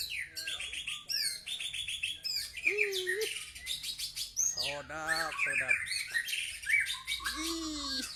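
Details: White-rumped shama delivering a rich, rapidly changing song of high ringing whistles, trills and warbled notes, broken by lower, wavering, harmonic-rich phrases. There are few pauses between them.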